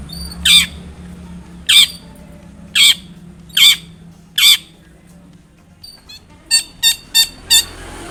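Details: Long-tailed shrike calling to prompt another shrike to answer: five loud harsh rasping notes about one second apart, then a short pause and four quicker clipped notes; steady low hum underneath.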